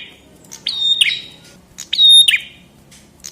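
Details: Chestnut-headed tesia song: two loud, sharp phrases, each a bright high note sliding into a flat whistle and ending in a quick downward flick, spaced about 1.3 seconds apart with faint low hum.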